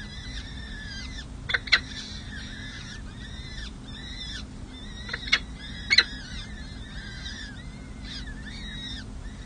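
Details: Six- and seven-day-old peregrine falcon chicks being fed on a San Jose city hall nest ledge, May 2024: a run of high, bending whining calls with a few sharp clicks and taps, steady low electrical hum underneath.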